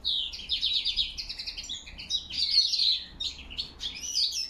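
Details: Autumn song of a European goldfinch, recorded October 2021 with a crested lark whistling nearby: a fast, liquid stream of chirps and trills, bright and high, without pause.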